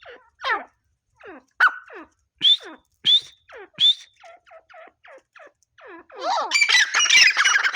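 Grey francolin giving harsh, ringing notes that sweep downward, repeated about twice a second, ending in a loud, scratchy burst of overlapping calls.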